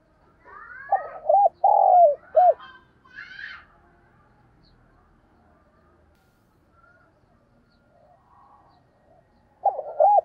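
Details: Spotted dove cooing: a burst of short looped coos and a drawn-out falling coo early on, then a faint stretch with scattered soft noises, and another short series of loud coos at the very end.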